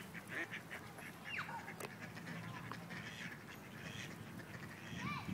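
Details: Ducks during a forced mating attempt by several rejected males on one female, Wilmington, NC; scattered nasal quacks mixed with thin, sliding whistles from other birds and a constant low background rumble.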